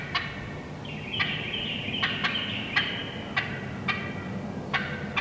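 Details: Wild turkey hens in the woods giving sharp, irregular cutting clucks every half second or so, overlapped by a long, high, rasping run of quick yelps in the middle.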